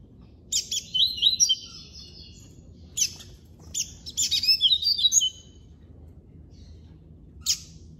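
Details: Classic-style song of a Double-collared seedeater (coleiro) from an amateur breeder: a short, high, buzzy note, then two rapid bursts of warbled twittering about three seconds apart. A lone sharp chip follows after a pause.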